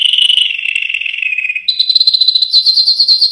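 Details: Yellow canary singing: a loud, pure whistled note slowly sliding lower, then a sudden switch to a rapid, higher, evenly pulsed trill that holds steady to the end.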